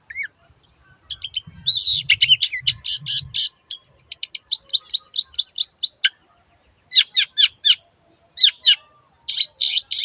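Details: Long-tailed shrike in vigorous song, used as a lure to get silent shrikes singing: dense chattering bursts of sharp, high clicking and buzzy notes, fast rattled series broken by short pauses, with faint low knocking early on.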